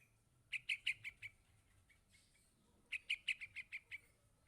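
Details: Young yellow-vented bulbul calling to its parent, giving two rapid runs of bright, high chirps, about five then seven notes, over a low steady hum.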